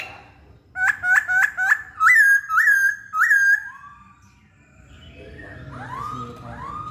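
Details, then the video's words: Masked laughingthrush singing actively: a quick series of sharp upswept whistled notes, then several longer rising-and-levelling whistles, fading into softer distant notes. "Poksay Hongkong Gacor"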